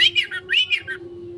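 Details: Oriental magpie-robin, 'konslet' lure song: two quick arched whistled phrases, each sliding down at the end, then only a steady low hum remains.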